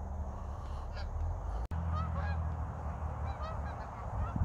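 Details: Geese flying back and forth in winter with no snow yet in North Idaho, Pacific Northwest; nasal, honking calls from several birds overlap, some rising then falling, over a steady low rumble of wind.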